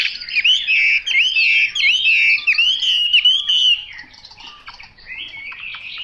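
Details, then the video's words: Chinese hwamei giving loud, clear whistled phrases, a rhythmic series of down-and-up slurred notes repeated about every half second, then a softer chattering passage and a renewed whistle. "Họa mi mộc dở 09"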